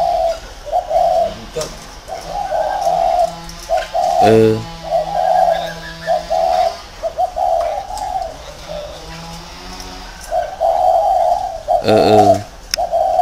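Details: Spotted dove kept as a decoy in a round cage in Vietnam, cooing in long, hollow, repeated phrases. Two short, harsh bursts interrupt it, with a faint hum in the background.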